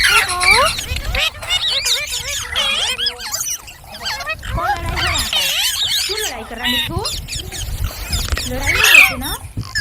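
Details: Green parrots give looping, whistled chirps that rise and drop, in bursts separated by brief pauses, several birds overlapping.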